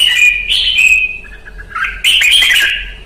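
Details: Red-whiskered bulbul singing in 'ché' song training: bright whistled warbling phrases, a loud run at the start, a softer dip midway, then a strong rising burst and a slurred ending.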